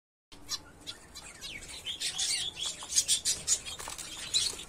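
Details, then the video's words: Kept finches chirping: a dense stream of high, thin tweets and short twitters from several birds, overlapping and growing busier and louder toward the end, with soft wing flutters. "cute finches"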